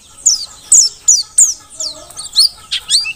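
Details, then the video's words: Mountain white-eye of the Merapi forest type, singing busily as tutor material for training birds: a rapid run of bright, high, sharply falling chirps, about three per second, loud and clear. "Pleci Dakun Merapi Ngalas super gacor paling di cari untuk Masteran"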